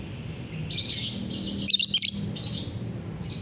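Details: Lovebird singing actively on a bright morning, 30 November 2021: short bursts of shrill, high chattering chirps in quick clusters, separated by brief pauses, over a low background hum.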